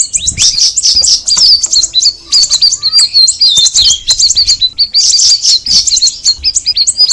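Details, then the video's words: Straw-headed bulbul, known locally as cucak rawis, delivering a busy, high-pitched chattering song of rapid twittering notes and bright whistled slides, nearly unbroken throughout. "the alluring sound of the cucak rawis bird"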